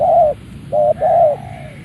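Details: Spotted dove of a Malaysian bloodline, a ground-contest bird, crowing right after being let out of its box. There are three low, mellow coos: a long one, a short one, then another long one.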